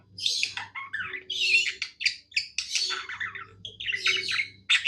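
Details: Happy budgie's song: fast, scratchy chatter with rising chirps and clipped squeaks, delivered in tight clusters separated by short silences, low hum in the background.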